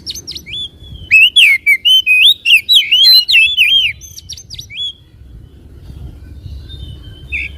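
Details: White-rumped shama song used to provoke a caged bird into singing and spreading its tail: a rich burst of looping, slurred whistles and sharp high notes lasting about three seconds, followed by quieter scattered whistles over faint low hum.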